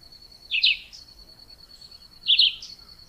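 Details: Chivi vireo (juruviara) singing: two short, quick warbled phrases about two seconds apart, each a rapid jumbled burst ending on a brief higher note, over a steady thin high-pitched hum running throughout.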